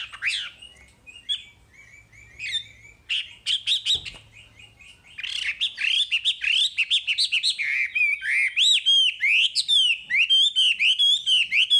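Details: Masteran recording of a wambi: scattered chirps and short trills build into a long, loud, continuous chatter of fast warbled and sharply inflected whistles, with one brief thump midway.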